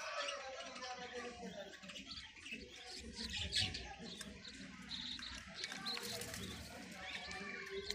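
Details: Young parakeets at night keep up a dense, scratchy high chatter of overlapping chirps and squeaks, with low human voices murmuring underneath.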